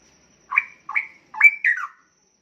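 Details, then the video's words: Straw-headed bulbul, young and caged, about a year old, singing a loud bubbling phrase of four whistled notes, each sliding upward or downward, the last two running into a descending flourish. "Cucak Rowo Muda Gacor Teman Ngopi"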